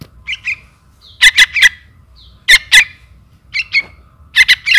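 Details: Young trukan calls to its mother in lure recording: softer paired chirps alternate with loud, rasping double and triple squawks, spaced about a second apart, with a quiet low background rumble.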